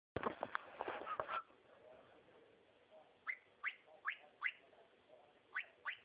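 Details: Cockatiel song: a loud broadband burst of harsh notes, then a series of short upward-sweeping whistles spaced about every third of a second, in pairs and small groups.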